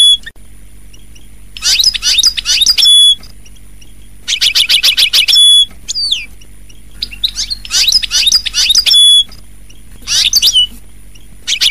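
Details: European goldfinch singing in loud bursts of varied twittering and tinkling notes with sharp trills and a few clear whistles, separated by short pauses, over a steady low mechanical hum.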